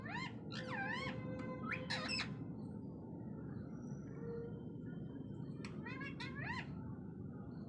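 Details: Pet parrot talking in rippling, sliding, voice-like phrases: a cluster in the first two seconds, a quiet gap, then another burst near the end, with constant low background rumble.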